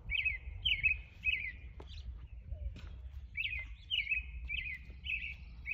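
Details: An American robin calling for his mate gives short, clear, slurred whistled phrases in quick runs of three or four, with a brief pause mid-sequence, over a low background rumble.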